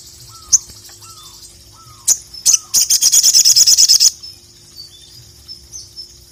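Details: Ruby-cheeked sunbird, known locally as sogon or sogok ontong, singing to call a rival: a few sharp high chips, then a rapid burst of about a dozen very high, thin, buzzy notes, with faint lower downslurred whistles early on.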